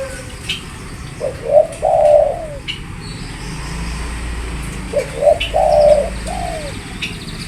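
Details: Spotted dove uttering two similar phrases, each a pair of short rising hoots followed by a longer, fuller purring coo and a falling tail note, with quiet low rumble in the background.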